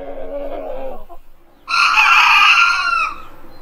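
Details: At dawn a rooster crows to warn rivals off its ground. A low, muffled call comes first, then a bright, high crow of about one and a half seconds, steady in pitch and fading out.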